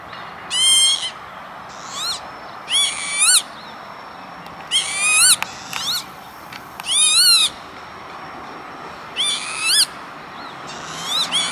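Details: Northern lapwing recorded 28 May 2013 at an industrial estate by Veenendaal, the Netherlands, giving a series of short, nasal, wheezy calls, some rising at the end and some paired, repeated roughly every two seconds against faint background hiss.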